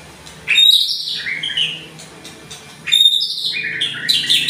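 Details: Murai batu, the white-rumped shama "seri F", met with a wild forest shama's song, gives two loud outbursts of varied whistles and scratchy high trills about two seconds apart, over a steady low hum.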